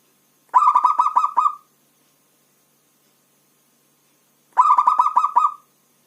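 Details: Zebra dove, a local bird, repeating its rapid multi-note coo twice, about four seconds apart, each burst a fast string of clipped mid-pitched notes lasting around a second.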